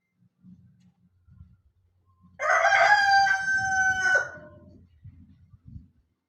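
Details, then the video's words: A rooster gives a loud, strained crow lasting nearly two seconds, rough at the start and then holding steady before fading, with soft low clucks and shuffling before and after. "chicken crowing sounds | rooster crowing sound effects"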